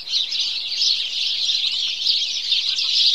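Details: Morning chorus of house sparrows: a dense, unbroken wall of overlapping high chirps and tweets from many birds, steady in loudness for the whole stretch, with no other sounds standing out.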